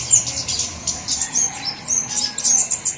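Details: Flowerpecker calls from a lure recording covering all flowerpecker types: very high, thin, sharp ticks and short squeaky notes, given in quick irregular bursts throughout, over a faint low background hum.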